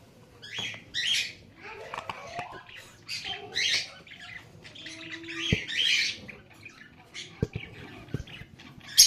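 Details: Lovebird chattering in a string of harsh, scratchy squawks and chirps, uneven in rhythm. Scattered clicks and light knocks are heard between the calls.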